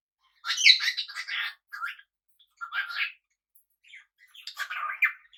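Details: Domestic cockatiel sharing a home with budgies gives a burst of raspy chattering squawks, then two shorter harsh calls spaced about a second apart, ending in a louder grating screech.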